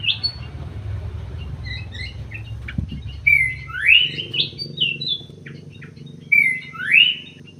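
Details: Munia, emprit sawah, with scattered small chirps over low rumbling noise, then two loud upward-sweeping calls about three seconds apart.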